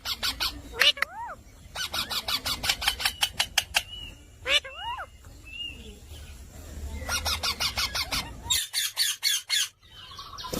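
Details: Parrot vocalizing with loud harmonic calls that sweep up then down, between rapid bursts of sharp, crackling notes and speech-like sounds.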